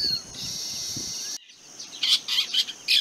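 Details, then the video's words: Long-tailed shrike (rufous-backed shrike, Lanius schach) giving harsh, rasping scolding notes in a quick series about every half second, after a steady high insect-like hiss. "call of long tailed shrike | call of rufous-backed shrike"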